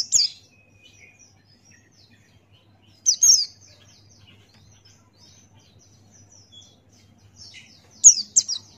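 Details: Buxtoni white-eye in gacor ngalas song, made as a tutor recording: sparse, bright, high chirps in short pairs, separated by several seconds of near silence with faint soft twittering.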